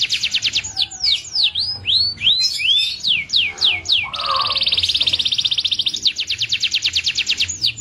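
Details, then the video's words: Local Indonesian canary singing: fast repeated whistled notes, sweeping down-slurred and rising whistles, then a long rapid buzzy trill, high and continuous. "Suara kicau KENARI yang MERDU"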